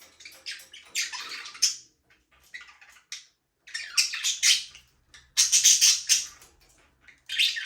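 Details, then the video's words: Pet budgies in a small aviary chatter in rapid, scratchy, buzzy chirp bursts, broken by short silences, with several birds overlapping in busy squawking phrases. "Budgies parrot #chirping sound"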